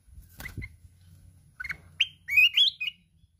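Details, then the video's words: Mountain red-whiskered bulbul in fiery contest song with continuous wing flapping, wild 'kít bổi' voice; a soft broadband rustle at first, then a string of loud, bright, up-and-down whistled notes building to a warbled flourish. "Chào mào núi hót cực xung, đập cánh liên tục"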